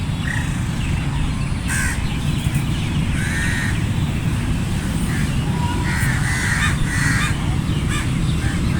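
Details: Scattered crow caws from a flock, some short and clipped, others drawn out and grouped near the end. A heavy low rumble fills the background.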